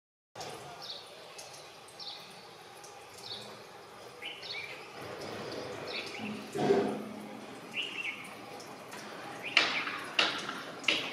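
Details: Common myna, also called Indian myna, giving a varied series of calls: short whistled and chattering notes, some rising, spaced about a second apart. Harsher, louder clicks and squawks follow near the end over steady background noise.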